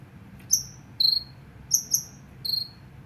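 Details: A captive sunbird kept at home and used to lure wild sunbirds: short, very high, thin metallic chips and trills in uneven bursts, about one every half second, over a faint low hum.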